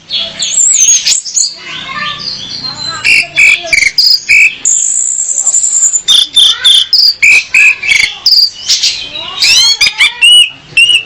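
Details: Female orange-headed thrush singing to lure a male so he sings actively, used for training: a long varied stream of sharp chirps, whistles and scratchy notes with a sustained high tone near the middle.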